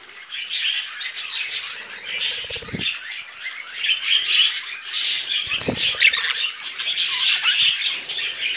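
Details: Pet budgie brothers on a hand, keeping up a continuous raspy, high-pitched warbling chatter, broken by a few low thumps and rustles of handling or wing movement.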